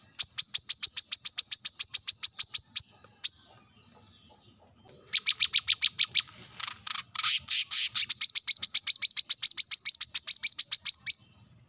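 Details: Brown-throated sunbird calling sharply at rivals, a rapid series of shrill high chirps that breaks off, then returns as a denser, buzzier chatter and a fast trilling run.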